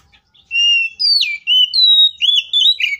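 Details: Oriental magpie-robin in full fighting song used to make rival magpie-robins answer: strong whistled notes held then swooping down, followed by quick warbled phrases and a final downslurred buzz.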